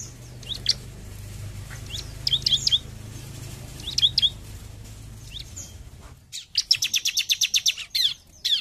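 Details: Bar-winged prinia, 'gacor jump shoot' style: soft paired high notes over a low humming background, then the noise drops away and a long, loud run of rapid piercing repeated notes follows.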